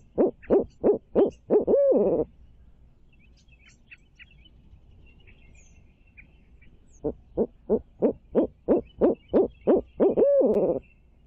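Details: Barred owl calling at a nest in Midtown Tulsa, two bursts of rapid, even hoots each closing in a long quavering downslurred note, separated by a pause with soft distant bird chirps.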